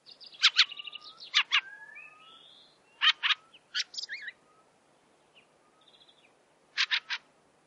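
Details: A Fieldfare gives harsh, dry chattering notes in quick pairs and triplets, mixed with thin high whistles and scratchy twitters from another small bird, possibly a Black Redstart; recorded in 2017.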